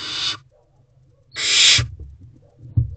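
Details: Barn owl owlet in an owl box on an evening in May 2023, hissing in dissatisfaction while waiting for its parents to bring food. Two rasping, breathy hisses, the second longer, sound over a faint low hum with small knocks.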